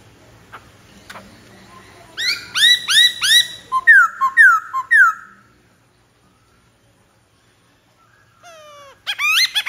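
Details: White-browed laughingthrush singing a rhythmic set of bright arched notes about three per second, then sharp descending whistles. After a quiet spell it ends in steep, rapid upsweeping notes.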